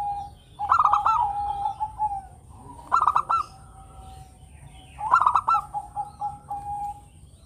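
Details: Zebra dove of a local strain, singing often and melodiously, used as a lure for other birds; three evenly spaced phrases of fast staccato coos, each fading into a long wavering, lower trill.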